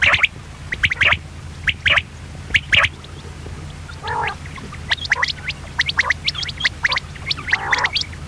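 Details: Female common quail calling: short, sharp, raspy notes repeated in irregular bursts. Lower, throaty gargling calls break in around the middle and the end. A faint low hum runs throughout.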